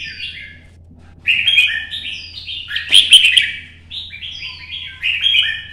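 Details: Morning-sun solo of a red-whiskered bulbul, 'chạy cầu' duel song for exciting other birds: a brief phrase, a pause, then continuous bubbling warbles with a loud accented burst and a thin rising whistle near the end.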